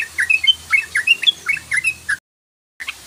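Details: Sooty-headed bulbul 'ropel' lure call, a quick string of bright, clipped chirps with sharp rising and falling slurs, briefly cut to silence before the chattering resumes.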